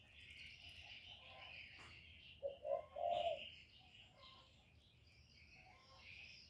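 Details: Lure spotted dove cooing to provoke wild birds, one phrase of two quick low hoots followed by a drawn-out purring coo, with higher twittering of other birds throughout.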